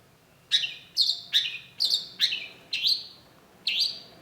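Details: Cendet, the long-tailed shrike, giving a lure song: seven harsh, rasping, slightly falling notes, about one every half second, with a short pause before the last.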